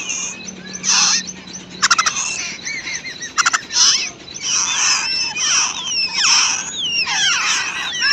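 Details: Wild babbler mother feeding her chicks at the nest; the chicks give rapid, high, wheezy chattering and squeaky notes in bursts, with a few sharp clicks and a low hum in the background.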